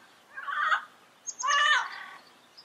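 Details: Yellow-headed amazon giving two harsh, raspy squawks with dense harmonic bands, the second louder and longer, separated by a short gap.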